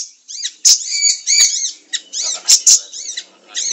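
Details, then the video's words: A siri-siri pours out a rapid, high-pitched twittering song of thin chirps and squeaky trills in quick bursts with hardly a pause, a lively lure and training recording for other birds. "Masteran siri siri gacor 100 % nyamber"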